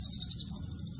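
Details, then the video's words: Cililin-style song from an actively singing blue-crowned hanging parrot: six or seven shrill, high, clipped chirps in quick succession, then quiet with only a low hum remaining. "Serindit Gacor Isian Cililin"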